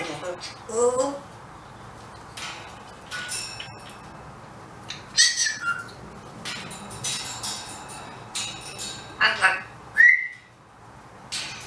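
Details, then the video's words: Parrot said to be talking and saying "hello beautiful"; scattered short whistled and squawky phrases with a voice-like rhythm, separated by quiet gaps, ending in a rising whistle. "Parrot saying hellow beauiful"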